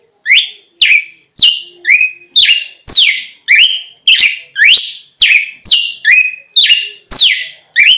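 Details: Red-cowled cardinal song for luring wild birds: an unbroken run of about sixteen loud, buzzy, sharply slurred notes in eight seconds, mixing falling sweeps with level high tones, no background noise.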